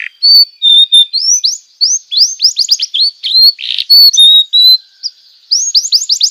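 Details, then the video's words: Canary tutor song for young canaries: a busy, varied run of high clear whistles, upslurred chirps and short rasping notes, delivered almost without a break. "masteran burung kenari paud"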